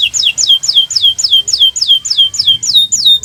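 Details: Kenari Nusantara canary in song, used as a master recording to prompt silent canaries: a clean repeated series of high whistled notes, each swooping sharply downward, roughly three per second throughout.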